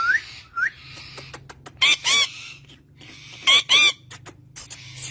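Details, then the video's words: Green parrot with its owner, making short rising whistles and then pairs of loud, harsh squawks separated by quieter stretches. "Beautiful parrot talking to it's owner"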